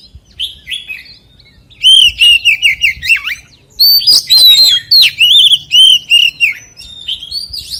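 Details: White-rumped shama singing forest-style song, rich and varied: bursts of rapid chattering notes, down-slurred whistles and rising phrases, two bouts of song separated by a short pause, over faint low background noise.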